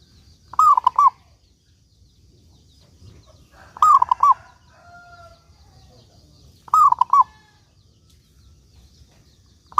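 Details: Actively singing local zebra dove: three quick rolling coo phrases about three seconds apart, with faint thin whistled notes from another bird between them.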